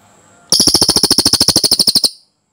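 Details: Cililin master recording for komba birds, with one clean roll of quick, sharp repeated notes lasting about one and a half seconds, ending abruptly into silence.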